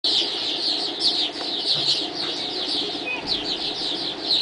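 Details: A flock of swallows chattering at dawn, a dense overlapping twitter of high, short chirps with no pauses, over a steady background hum.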